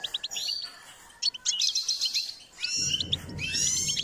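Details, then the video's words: Goldfinch in song training, giving a fast, chattering stream of high sweet notes and short buzzy trills, followed by a low droning rumble in the last second and a half. "Step by step enhancing the goldfinch’s singing"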